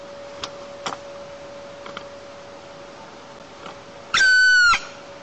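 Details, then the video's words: A red-crowned woodpecker shrieks as it flies in to its nest, then gives one loud, harsh, even-pitched call after a few soft taps, over a steady electrical hum, at 4:45 a.m. on 20 August 2022, Almetyevsk region, Tatarstan, Russia. "A Woodpecker Appears in Nest & Calls!"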